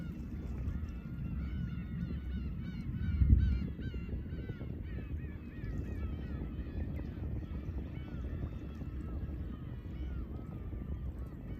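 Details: Horozuki fishing port, Imabetsu, Aomori, Japan: a busy gathering of Black-tailed Gulls keeps up rapid, wavering mewing cries, with waves washing below and one brief thump near the start.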